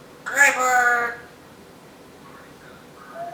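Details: Female Timneh African grey parrot kept as a pet, known for talking, singing and mimicking vacuum and packing-tape sounds; one short harmonic, voice-like utterance lasting under a second, followed by quiet room noise and a faint later sound.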